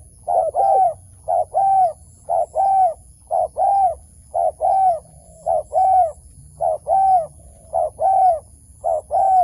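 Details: Rhythmic cooing of a wild dove being lured into a trap: even short-then-long note pairs, repeated roughly once a second for the whole stretch.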